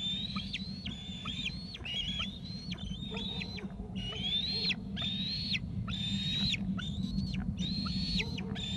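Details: Repeated high whistled screeps from two eaglets off the nest in Gregg's tree, each falling at the end, over a steady low rumbling background.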